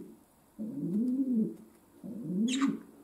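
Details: Pet domestic pigeon giving what its keeper jokingly calls a concert: two low, arched cooing notes, each about a second long, swelling and fading, with a brief sharp click between them over a faint steady hum.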